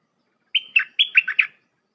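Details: Red-whiskered bulbul singing a tight 'dok' phrase meant for tutoring young birds: six clear notes in under a second, a steady high whistle leading into staccato notes that drop lower, with silence around them.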